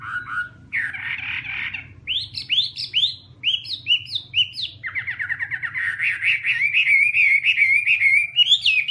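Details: Chinese hwamei song with varied whistled phrases, a quick series of sharp upslurred notes repeated several times, then a fast rattling trill that flows into rich warbling over a faint hum.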